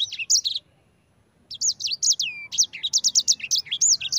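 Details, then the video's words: A sanger, the yellow-fronted canary, sings the long rolling 'ngerol' style meant to prompt other birds into song: a short burst of high slurred notes, a one-second gap, then a quick run of bright falling and rising whistles. "Suara Burung Sanger EDEL SANGER NGEROL Ampuh untuk pancingan sanger cepat ngerol gacor"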